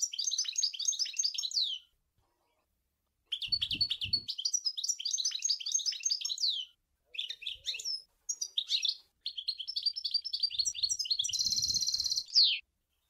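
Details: A European goldfinch sings at Sour El Ghozlane. Long, fast, liquid twittering phrases of rapid repeated notes are broken by short pauses, and one ends in a buzzy, rattling stretch. Soft low knocks can be heard beneath.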